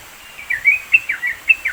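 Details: A brief burst from a Sooty-headed bulbul in the East Java mountains, Indonesia, used to train songbirds: five or six quick slurred chirps, dipping and rising, after a quiet start, soft hiss behind.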